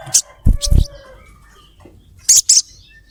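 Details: Female ruby-throated myzornis calling to a male. Low knocking thumps open, then a quick pair of sharp, high 'cret cret' chirps follows after a pause.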